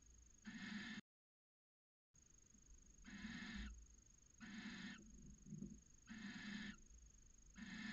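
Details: Barn owls, a male and female, mating in their nest box at Cabañeros National Park from late January; rough, hissing half-second screeches repeated at steady intervals of about one second, with low rustling between them.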